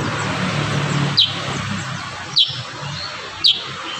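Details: Kurincang giving three isolated, sharp, high downslurred notes about a second apart against steady low traffic-like rumble.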